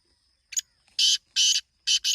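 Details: Black francolin call: a short clipped note followed by three loud, grating, buzzy notes, with a thin continuous high tone in the background.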